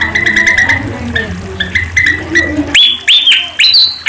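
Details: Sunda pied fantail song used for training songbirds: soft repeated chirps and low twitters, then three loud, high whistled notes sweeping up and holding, each roughly half a second apart.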